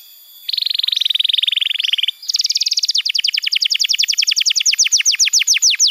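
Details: Canary training song for birds slow to sing. A long buzzy rattle gives way to a fast, bright trill that eases into steadily repeated, falling high notes.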